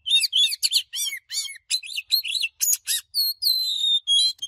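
An Oriental magpie-robin sings a rapid, varied run of sweet whistles and sharp chirps.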